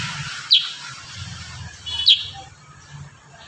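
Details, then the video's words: Kurincang singing in a tight rapid-fire style for tutoring songbirds: two sharp, high chirps about one and a half seconds apart, with hiss and a low rumble behind. "Masteran burung kurincang tembakan rapat"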